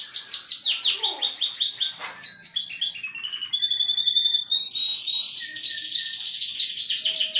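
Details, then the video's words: Canary in full melodious song, with rapid high trills of repeated downslurred notes, then varied whistled tones and rolling phrases, delivered continuously; a faint lower chirp appears briefly. "kenari gacor cengkok merdu"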